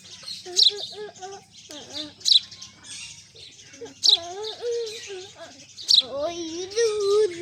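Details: Golden sparrow chirping: short, high, bright notes repeated every one to two seconds over a busy background of lower, sliding and wavering tonal sounds.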